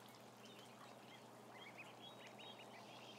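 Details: About a thousand ducklings on a live camera, a dense chorus of short high arched peeps overlapping throughout, with a steady low electrical hum underneath.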